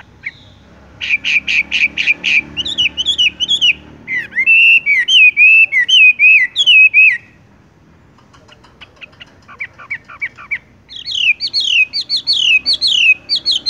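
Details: Wambie, the Horsfield's bush lark, performing a tung roll song that goes straight to rolling: rapid high chips, then looping whistled phrases, a short pause, softer chirps and a fast run of high slurred notes.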